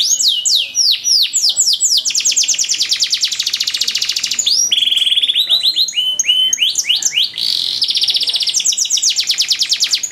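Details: Ornate canary training song: a long, varied sequence of swooping whistled notes alternating with fast, bright trills, delivered without pause.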